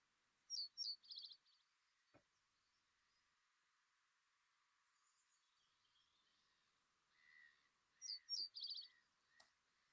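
Reed Bunting song: two short, simple phrases of a few high, sharp notes ending in a brief buzzy trill, separated by a long pause.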